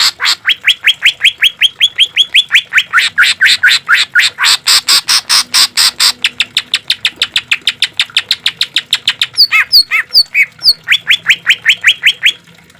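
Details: Caged-bird training recording of Green leafbird song: long series of fast upslurred whistles, a stretch of rough buzzy rasps, then sharp varied chips and more rapid whistled notes.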